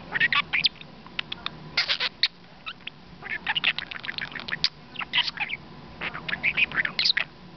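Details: A male pet budgerigar, close to the camera, chatters in rapid bursts of high, scratchy warbles and chirps.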